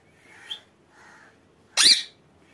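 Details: Pet rose-ringed parakeet indoors: a short, thin whistled note, a soft murmur, then one loud, harsh, rasping screech.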